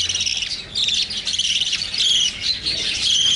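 Young lovebirds give a continuous mass of high, thin chirps and squeaky chatter, overlapping with no pauses.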